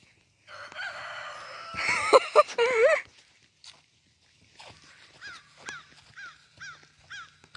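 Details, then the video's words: Young black rooster, raised from a chick, giving an odd failed crow likened to a bad five-chime train whistle: a strained, wavering, warbling cry lasting about two seconds, followed by softer clucks and short chirping notes. "ever heard a crow like this?"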